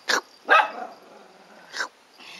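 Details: Domestic duck giving three short, raspy quacks, the middle one loudest and drawn out slightly, with a faint fourth call at the end.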